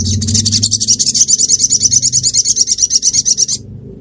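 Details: Ruby-cheeked sunbird singing in Reului, Mutiara, Pidie, Aceh, Indonesia: a fast, very high, even trill of thin ticking notes, about three per second, running for three and a half seconds over faint low music.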